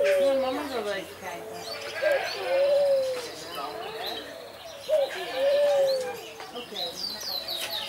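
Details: Possibly domestic Barbary dove (Streptopelia risoria) displaying in an aviary at a city farm in Alkmaar, Holland. It repeats a two-part coo roughly every three seconds: a brief upswept note, then a drawn-out, level hum. Sparrow-like chirping and faint voices run underneath.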